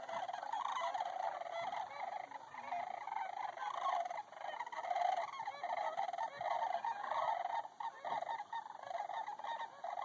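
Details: Sandhill cranes relaxing in a pond near Bosque del Apache, New Mexico: a dense chorus of rolling, trumpeting calls from many birds overlapping continuously, with no pauses.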